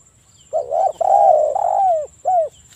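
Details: A spotted dove in breeding condition, recorded as a lure to make other doves call, gives one phrase: a brief coo, a long mellow sustained coo that falls away at its end, then a short arched closing note.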